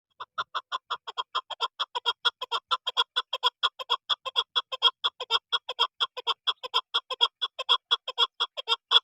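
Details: Chukar partridge calling: a steady run of harsh clucking chuk notes, about five per second, evenly spaced throughout.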